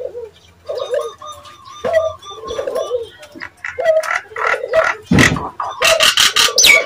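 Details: Nias hill myna giving a call meant to provoke other Nias mynas into answering; a varied run of nasal, mid-pitched notes and clear whistles, then increasingly loud harsh squawks and broadband bursts toward the end.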